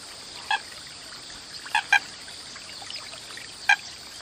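An American coot gives short, nasal, clipped calls, single or in a quick pair, a few seconds apart, over a steady hiss of water or wind.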